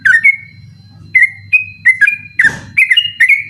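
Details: Sooty-headed bulbul singing at night, recording meant for training other songbirds: short whistled phrases around two to three kilohertz, some sliding down, given in bursts with gaps, one harsh noisy burst midway, steady low hum beneath.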